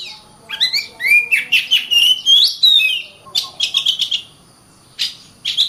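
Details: Oriental magpie-robin (kacer) singing persistently, a 'gacor rapat' dense song used to train champion birds: sweet rising and falling whistles slurred together, then short harsh rasping bursts, a brief pause, and more rasps; faint steady high tone behind.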